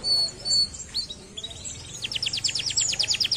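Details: Canary song opening with scattered high chirps and slurred notes, then breaking into a rapid, evenly spaced trill of about a dozen bright notes.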